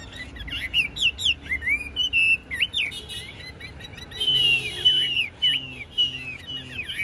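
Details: High, clear whistling from a caged, tame Chinese hwamei of 'bánh tẻ' age with a wide fanned tail: short upslurred notes, then drawn-out level whistles with quick flourishes between them.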